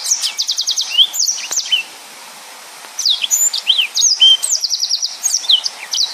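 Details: Yellow-fronted canary singing in the full 'nembak' style for tutoring other birds: rapid trills of evenly repeated high notes alternate with slurred whistles, with one brief silent gap mid-phrase.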